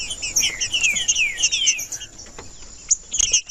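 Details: Green-winged saltator song played to warm up a silent bird: a run of clear, slurred whistles sliding downward in quick succession, then sparse high notes, over a steady thin high-pitched hum.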